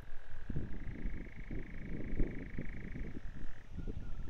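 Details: At Blackheath, Surrey, a European nightjar churrs in a long, steady, mechanical trill that shifts pitch near the end, over heavy low wind rumble.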